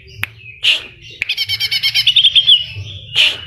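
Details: Greater green leafbird in full vigorous song filled with mimicked kapas tembak and cililin phrases; a sharp whistled burst, then a fast run of about ten ringing notes ending in a slurred whistle, over a faint low hum.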